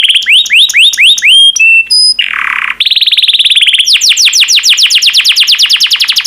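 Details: Yellow canary, kept as a pet, singing rising whistled notes in a quick series, a few pure tones, a low buzzy rattle, then a long fast trill and a sequence of rapid descending chirps.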